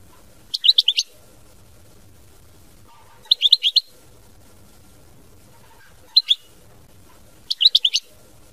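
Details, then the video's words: European goldfinch singing in the mama binette style: four short bursts of bright, twittering notes, each about half a second, separated by silent gaps of a few seconds, with a faint low hum beneath. "Chant Chardonneret mama binette"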